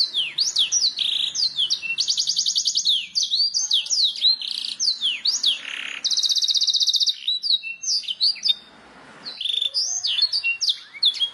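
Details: Canary master song played to encourage birds to sing: lively high whistles, buzzy rolled trills and swooping notes, with a short lower rasping phrase and a brief gap late on.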